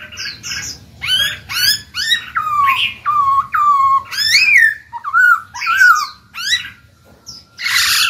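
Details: Caged black-throated laughingthrush singing to make newly caught birds open their beaks and sing: a rapid, varied medley of sliding whistles, level held notes and twisting phrases, almost without pause, ending in a burst of harsh noise.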